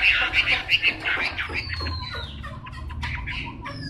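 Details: Wild-caught 'bổi' Chinese hwamei credited with tail-fanning temperament, opening with a quick burst of bright repeated whistled notes, then thinner descending slurs and softer scattered phrases over a low hum.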